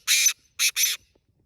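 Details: Black francolin calling on a road: three harsh, grating, broadband notes, the first long, then a pause before two shorter notes close together. Little else is heard.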